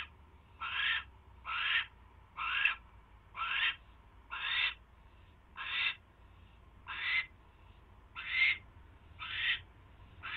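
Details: Owl on the night it gets a mouse, 28 January 2016 around 10:21 PM, giving a long regular run of about eleven short, scratchy hissing calls, nearly one per second, against a low continuous hum.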